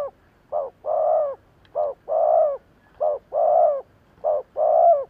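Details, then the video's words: Spotted dove used as a lure bird to draw wild doves, giving fast lure cooing: short coo followed by a longer, mellow, level coo, the pair repeated about every second, steady and clear with a quiet background. "Tổng hợp chim cu gáy thúc gù / Cu gáy kích mồi Cực chuẩn / Tiếng cu gáy kích bổi nhanh nổi"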